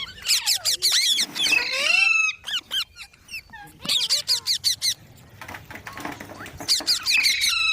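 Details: Green parrot vocalising: rapid bursts of sharp, squeaky notes with a few drawn-out, bending whistles, in three clusters separated by quieter pauses.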